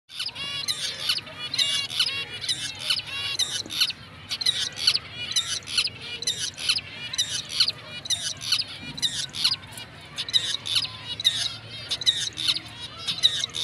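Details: A confirmed breeding pair of black-breasted mutation zebra finches gives a steady stream of short, bright, nasal beeping calls and chirps.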